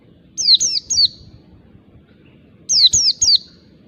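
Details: Forest-caught oriental white-eye used as a lure, giving rapid triplets of shrill descending whistled chirps, two bursts roughly two seconds apart, against a faint low murmur.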